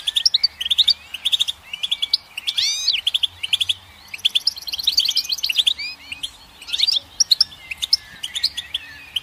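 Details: Sweet, rambling goldfinch song of quick liquid chirps, rising slurs and short trills in bursts of a second or two, with brief gaps between.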